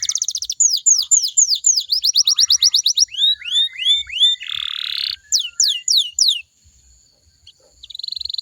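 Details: A canary (Serinus canaria) sings rapid high downslurred notes, about four per second, then shifts through rolling trills and a harsh buzzy phrase before briefly falling quiet; the song is used to prompt other canaries to sing back.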